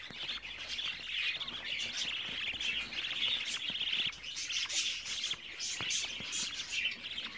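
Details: Budgerigar chicks, 24 days old, kept as pets: continuous raspy, buzzy chirping concentrated high, with overlapping short scratchy notes and sharp clicks throughout.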